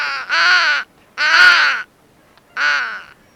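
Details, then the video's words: Three long, hoarse caws from a crow, each under a second, spaced roughly a second apart, raspy and strongly harmonic. "Звуки птиц ВОРОНА/ Как кричит и говорит ворона"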